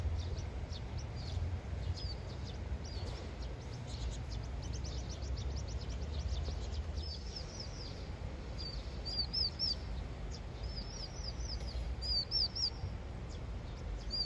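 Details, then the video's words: Vinous-throated parrotbill, a young bird chattering as it plays, said to be practising the song it will sing when grown; thin high chirps come scattered, then bunch into quick rippling runs of three or four notes over a steady low outdoor rumble. "오목눈이 수다쟁이"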